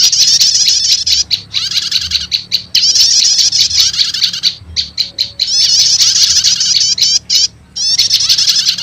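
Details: Luring call of prenjak lumut prinia combined with prenjak setater, said to bring wild prenjak lumut quickly; long stretches of shrill, scratchy chatter with brief breaks and a few isolated chips.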